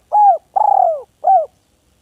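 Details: Village spotted dove in a masteran recording, calling to a rival: a clear three-part coo, a short note, a longer rolling coo falling in pitch, then a brief closing coo, in silence.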